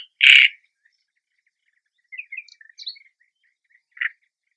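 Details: A Great Reed Warbler at its nest in marshy reeds gives a loud, harsh grating burst, then a string of short croaking and chattering notes, ending with another rasping note after a pause.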